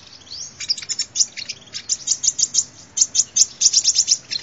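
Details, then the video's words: Sunbird lure song: a fast string of sharp, very high chips and tweets, pulsing steadily several times per second throughout. "tiếng chim hút mật làm mồi chuẩn"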